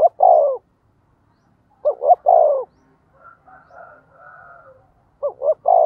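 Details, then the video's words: Decoy spotted dove cooing to stir other doves into calling: low, hollow coo phrases of two short rising notes then a long falling one, about three seconds apart. A faint murmuring sound lies between phrases. "tiếng cu gáy mồi thúc gù/ chim cu gáy mồi kích bổi mới"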